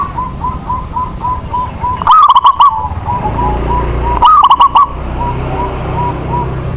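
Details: Local zebra dove meant to set lazy doves singing: two loud pulsed coo phrases stand out against an even train of soft coos, repeated about twice a second.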